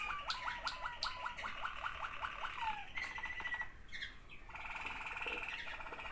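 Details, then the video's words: Waterslager canary song from two sibling birds: a series of quick falling hooked notes, a brief whistle, then dense water-like rolling trills. "waterslager 2 αδερφάκια."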